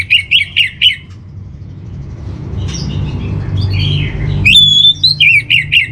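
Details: Orange-headed thrush master song for steadying a home bird: rapid repeated sharp chirped notes, a quieter pause with faint twitters, then a long clear whistle followed by more quick repeated chirps.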